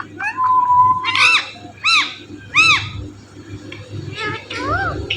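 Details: Pet Indian ringneck parrot mimicking speech: a drawn-out tonal note followed by three separate arched, voice-like syllables about a second apart, then softer squeaky notes over low room hum.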